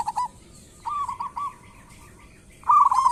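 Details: Local zebra dove song used to lure other birds into calling: short rolling coos broken by pauses, a drawn-out soft trill, then a loud burst of rapid rolled notes at the end.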